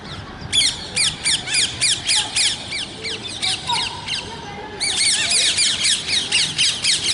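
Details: Parrot voices heard naturally: evenly spaced, harsh downslurred squawks about four per second, a short lull, then a louder, denser run of rasping calls continuing to the end.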